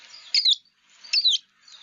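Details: American tree sparrow calls, not song, given in winter in NE Ohio: high, sweet, slurred, downward-sliding twittering notes in two quick bursts about a second apart, with a fainter third starting at the end.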